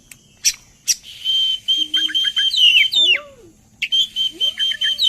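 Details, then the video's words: Oriental magpie-robin singing as a lure to prompt others to join in; sharp snapping notes open into a steady high whistle, quick falling chips, sweeping slurred whistles, then repeated whistled notes after a short pause. "Suara pancingan burung Kacer agar ikut narung"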